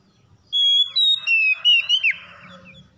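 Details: Oriental magpie-robin singing a phrase of clear whistled notes, sustained and gliding between high pitches, with a short warbled ending, about one and a half seconds long; otherwise quiet.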